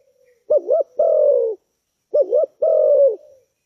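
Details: Spotted dove giving a recommended fast-response call: two phrases, each a wavy double coo followed at once by a longer, steady, slightly falling coo, about 1.6 seconds apart, in a quiet setting.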